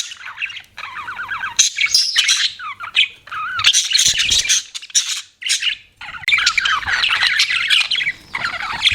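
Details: Chirping pet budgerigars in a dense, continuous warble of scratchy chatter, rapid clicks and short whistled slurs, broken by brief pauses.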